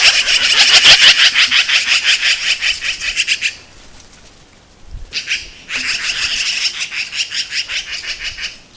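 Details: Black-billed magpies in Montana defending a carcass against a red fox: harsh, rattling chatter of rapid scratchy notes, about three per second, in two long bouts split by a brief pause.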